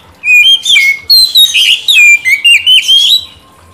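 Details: White-rumped shama, a kacer, kept as a caged bird and used as a lure recording to coax a stalled bird into singing: loud clear whistled phrases sliding up and down, bursts of rich varied notes with brief pauses.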